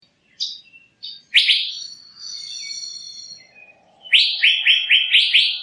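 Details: Male Asian fairy-bluebird giving a lure call: high chirps lead into loud raspy buzzes with a drawn-out harsh tail, ending in a fast series of five scratchy syllables, over a faint low hum.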